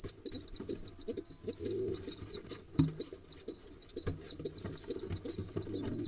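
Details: Two excited pigeon nestlings begging as they are fed, mid-October 2021: an unbroken string of high, thin wavering peeps, with rustling, wing-flutter and feeding bumps underneath.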